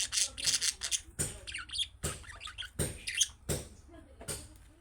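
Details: Budgerigar chick calls of the sort that set pet budgies answering: busy high chirps and squeaks between loud sharp clicks and taps.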